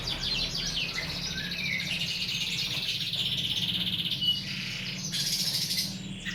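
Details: Masteran tutor recording of mixed birds for teaching cage birds: continuous high twittering and warbled phrases layered together, a brief louder burst near the end, low constant hum underneath.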